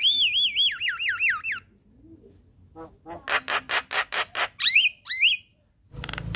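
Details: Javan myna morning lure song for training a quiet bird: a fast, wavering whistled trill, then a pause, then a row of harsh grating notes about five per second, two clear rising whistles, ending in a noisy burst.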